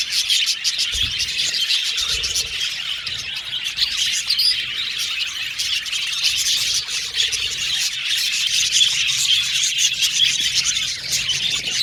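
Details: A colony of male violet budgerigars kept in an aviary, chirping and warbling nonstop as a thick high-pitched chatter with occasional harsher squawk-like notes.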